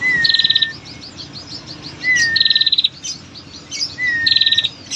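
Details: Female prinia giving long rattling calls used to lure males: three bursts of a fast, high, even trill, each paired with a thin, level whistle, repeating about every two seconds, with faint chirps from other birds.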